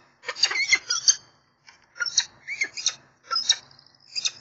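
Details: Peregrine falcons at their nest, filmed by a live nest camera on 7 April 2024. Harsh, scratchy calls come in ragged bursts: a long run of about a second, then shorter clusters spaced roughly half a second to a second apart.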